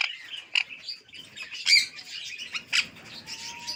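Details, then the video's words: Alexandrine parakeet known for talking in Urdu and English, uttering rapid raspy notes and sharp accented chirps, a faint thin whistle running near the end. "Talking Raw parrot | Amazing talking Raw Parrot | Raw Parrot talking Talking in urdu and English."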